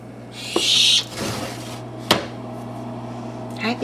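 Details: A Blue-headed Macaw chick, a few weeks old, in a nest box gives one harsh, hissing rasp lasting under a second before feeding; handling clicks and a soft human voice follow.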